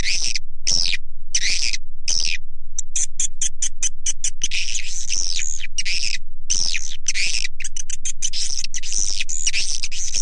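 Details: Swiftlet lure call meant to attract swiftlets: loud shrill chirps in separate bursts with sharp gaps, then fast clicking chirps and buzzy twittering.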